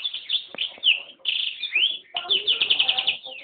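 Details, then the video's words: Song of a yellow-rumped serin × canary hybrid: bright trilled phrases and upward-sweeping whistles, ending in a rapid rolling trill over faint lower background noise. "Yellow-rump Serin (Serinus atrogularis) X Canary"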